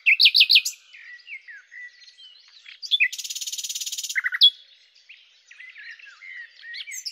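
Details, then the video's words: Song of a common nightingale: a loud burst of rapid notes opens, soft twittering follows, then a dense mechanical trill for about a second, a few sharp slurred notes, and quieter warbling to the end. "Common_Nightingale (Luscinia megarhynchos)"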